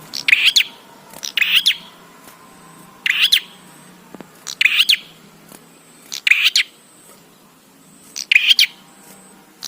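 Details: Song of a bar-winged prinia, used to prompt other prinias to start calling: six strident, high, clustered chirp bursts spaced about one and a half seconds apart, with faint steady background hum.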